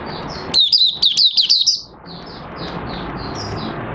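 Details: Oriental white-eye kept in a cage, trained for three months to sleep uncovered at night, recorded 25 August 2022: a dense, quick run of sharp high warbled notes lasting about a second, followed by hiss and faint chirps.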